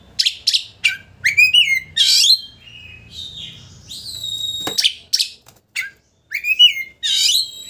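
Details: Oriental magpie-robin song intended to provoke a rival into displaying its tail: bursts of chattering notes, rising slurs and a long sustained whistle, with a low hum in the background.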